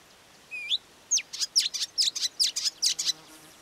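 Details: Marsh warbler (Acrocephalus palustris), call.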